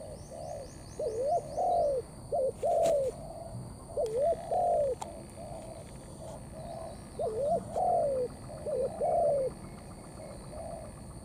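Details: Spotted dove, a bổi bird, giving a thổ and cấn sấm cooing mix. Repeated phrases of short notes and arched, falling coos sound in clusters over a constant hum, with faint high chirps at the start.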